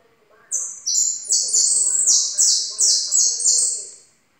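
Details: A yellow European goldfinch sings a fast, high, tinkling twitter of stepped notes in quick bursts, with faint low background sounds beneath.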